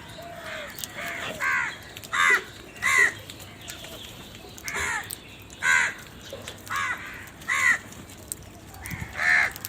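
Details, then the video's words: Series of raucous crow caws, around a dozen short grating notes coming in loose pairs and singles, steady over a quiet background. "Very loud voice of Crow sound"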